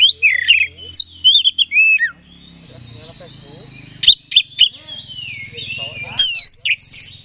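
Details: Oriental magpie-robin song meant to provoke another bird and raise its aggression: bursts of whistled, swooping notes and clicky chirps separated by quieter gaps, over a low steady hum.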